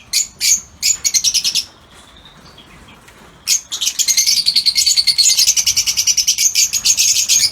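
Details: Lutino Fischer's lovebirds in an outdoor aviary give rapid, harsh, high-pitched chattering calls in quick bursts, with a brief pause and faint whistles before a long run of shrill chatter.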